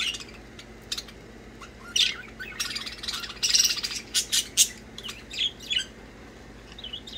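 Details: Several budgies chirping and playing, a lively run of high warbled chirps and scratchy squawks that builds in the middle and fades to softer twitters.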